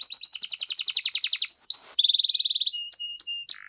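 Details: Canary in gacor mode, used to lure silent canaries into singing: a fast rattling trill, a rising whistle, an even pulsed trill and a few sharp flat pips.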